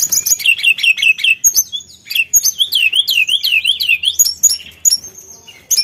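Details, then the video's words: Energetic Sulingan song meant to spur other birds to sing: rapid rolling whistles that swing up and down in a wavy series, mixed with thin high chips and sustained piping notes at an uneven, lively pace. "PANCINGAN BUNYI SULINGAN GACOR"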